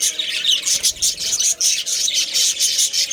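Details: Breeding budgerigar colony, Australian parrots: rapid high chirps and squeaky warbles pulsing in short bursts, several birds calling over one another.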